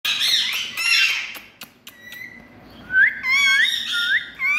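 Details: Green Indian parrots playing: a burst of harsh, squeaky chatter at first, then a run of short, rising whistled notes repeated about every half second, with sharp clicks in between.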